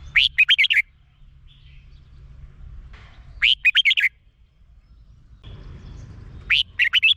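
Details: Thai Red-whiskered bulbul song, used to make caged birds lively: three crisp phrases of five or six fast, bubbly whistled notes, one roughly every three seconds, with quiet gaps and light low rumble between.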